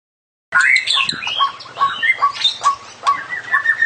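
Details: Long black-tailed white-rumped shama singing a full 'isian' song packed with varied phrases: loud whistled notes, rising and falling slurs and quick sharp chips, delivered in rapid bursts about every half second after a brief silence, with no other sounds.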